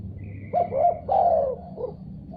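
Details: Spotted dove calling in reply to a heard sound: a single phrase of short rising notes, a long husky descending coo and a brief final note, with a faint high whistle above and low hum below.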